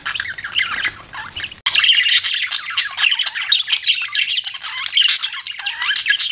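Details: Pet budgerigar giving a continuous, rapid stream of raspy chatter and squawky chirps, dense and busy, after a brief quieter opening phrase.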